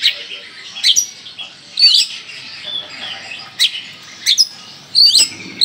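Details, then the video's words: Kalimantan Oriental magpie-robin producing scattered, sharp, twisting notes a second or so apart over a quiet, hissy background, with no steady rhythm. "Kacer Kalimantan gacor full tembakan"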